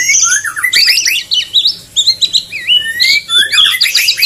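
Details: Courting male white-rumped shama pressing a female to mate: rapid, dense run of bright whistled swoops and upward slurs, loud and continuous, with a few rasping notes mixed in.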